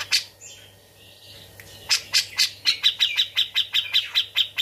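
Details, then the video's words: Brown-cheeked bulbul kept tame in a cage, singing a song filled with grejaan chatter: a few squeaky slurred notes, then a long run of loud, clipped chirps repeated about three times a second, with a faint background hum. "Cucak Jenggot Gacor isian grejaan"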